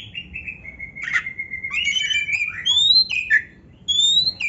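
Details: Kacer (magpie robin) used as training song for pet birds, giving long drawn-out whistles that slide and waver, then clear high rising notes separated by short gaps.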